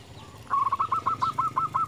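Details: Local zebra dove calling a rival: a quick string of about a dozen short, bouncing coo notes with steady spacing, heard against a hissy background.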